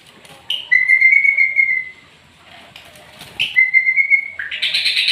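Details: White-rumped shama in a bowing display style sounding two long, steady, pure whistles, each lasting over a second and separated by a pause, with brief harsh bursts and a final buzzy note.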